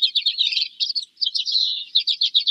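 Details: Common Redpoll, a taiga and tundra finch that winters irregularly in northern New York, giving a fast, dry, buzzy twitter of high chattering notes, run together almost without pause and repeated in quick bursts.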